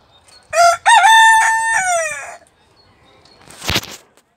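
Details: Barnevelder rooster crowing once: a harmonic, drawn-out crow of about two seconds with a short opening note then a long level tone falling at the end, followed by a brief broadband rustle.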